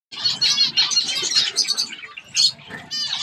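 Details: A baby zebra finch learning to feed itself gives a continuous stream of harsh, buzzy, high-pitched chattering calls with brief pauses, nasal and rasping throughout.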